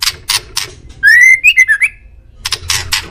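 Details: White-rumped shama song, said to be a male Indonesian bird used as a master for pet birds: one smooth rising whistle, then quick looping whistled notes, with harsh rattling bursts before and after.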